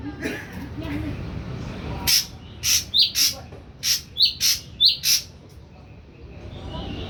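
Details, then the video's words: Young wild-caught Ashy drongo, three weeks in captivity and fully pellet-fed, just starting to sound off: a burst of about nine short, sharp notes, some with hooked downward tails, fired off unevenly over three seconds, with faint room noise between. "SRIGUNTING ABU BAHAN 3 MINGGU PUR TOTAL DAN MULAI BERANI BUNYI"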